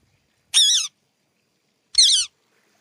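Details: Two harsh, rasping screeches from a pet green ringneck parrot, about one and a half seconds apart, with a quiet background.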